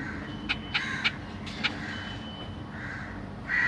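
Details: Caged black-cheeked zebra finches, a family with three juveniles and three newly hatched young while parents feed them: harsh, nasal, broadband calls in short bursts, about five within a second and a half, then softer notes over a steady low hum.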